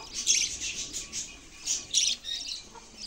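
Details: Budgerigar song of harsh, squawky chirps in loose clusters, swelling and fading in waves, with a couple of louder scratchy bursts.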